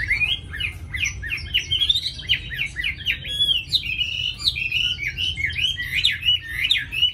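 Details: Caged, tame Chinese hwamei from Hà Nội, a bird with a fine voice, delivering a continuous stream of quick rising and falling whistles packed close together, rich and varied, with a faint low hum behind.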